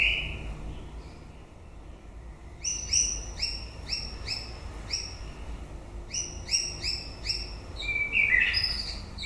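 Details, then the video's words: White-rumped shama singing at the end of the breeding season: two bursts of rapid, repeated ringing notes with bright overtones, followed by a sharp downslurred whistle near the end, over a low background hum. "Chòe lửa bông hót cuối mùa sinh sản /shama bird/白腰鹊鸲/บินหลาดง"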